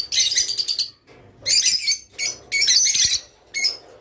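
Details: Song of a rice finch, used to prompt caged birds to mate; four separate bursts of high, bright twittering, each about half a second to a second long, with quiet pauses between.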